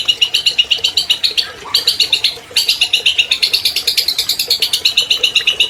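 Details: Captive albino long-tailed shrike, a 2020 champion, in full, long, clear song used to draw silent shrikes into singing: rapid bright chattering notes, briefly broken by a pause, then resuming at the same brisk pace.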